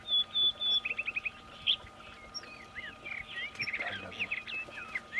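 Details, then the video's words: Juvenile rufous-tailed rock thrush with clear high whistles, then a fast run of short repeated chips and a varied, warbling jumble of squeaky notes over a faint steady hum. "Juvenil de Roquero rojo (Monticola saxatilis)"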